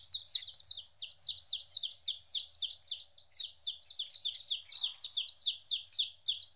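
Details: Fourteen-day-old chicks separated from their mother for the first time: rapid, steady stream of shrill descending cheeps, about three to four per second, many birds overlapping.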